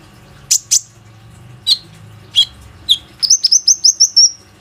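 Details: ['Plain-throated sunbird singing to entice other sunbirds to sing, phone recording: a few scattered sharp chips and falling whistles, ending in a fast run of about eight bright high whistled notes.']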